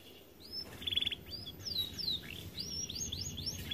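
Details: Canary described as too fat to sing much, producing a short quiet phrase of a brief trill and several downslurred and upslurred whistles over background hum.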